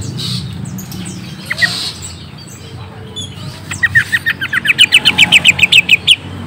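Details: Lure sound to draw an immediate reply from a young, newly caught green leafbird: after quiet scattered notes, a rapid run of about twenty bright, clipped chirps that grow louder and faster toward the end.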